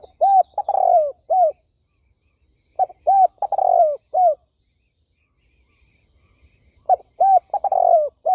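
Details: Turtle dove cooing in three bursts, at the start, near three seconds and near seven seconds. Each burst is a run of four or five mellow, arched, low coos, with silence between the bursts.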